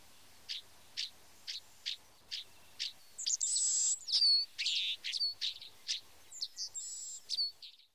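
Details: White-browed meadowlark (Leistes superciliaris) song: a string of short, high chip notes about twice a second, then a harsh, buzzy, wheezing flourish with sliding whistles.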